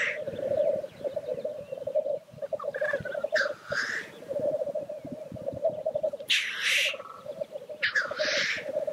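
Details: Lekking black grouse. A continuous deep rookooing murmur runs underneath, and several loud, airy hissing sneezes burst out at intervals over it.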